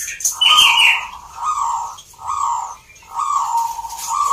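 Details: Zebra doves at a singing competition in Salatiga, Central Java, Indonesia: a raspy high opening note, then three drawn-out mellow coo phrases separated by short gaps.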